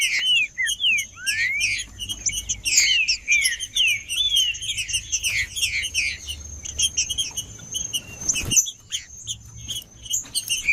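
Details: Male green-winged saltator singing in the macheando style to warm up other birds: clear whistled phrases sliding downward, several in quick succession, over constant high chirping and twittering from other birds and a thin steady high tone.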